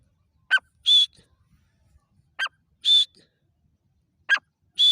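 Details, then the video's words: Loud, clear calls of a black francolin: a short rasping note followed by a high, steady whistled note, the pair repeated about every two seconds against near silence. "Gora teeter ki awaaz|Dakni teeter ki voice|تیتر کی ساونڈ"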